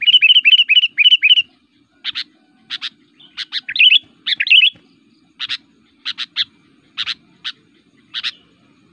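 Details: Kutilang (sooty-headed bulbul) in full, aggressive fighting song said to anger other bulbuls and suited for calling them in forest: a quick run of six bright chirps, then sharp, scattered single and doubled high chirps over a quiet low hum.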